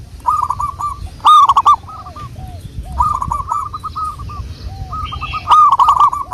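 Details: Local wild zebra dove song used as a lure: phrases of short, arched cooing notes run together in quick series, some near and loud with a rough edge, others fainter and farther off, repeating several times over low background rumble.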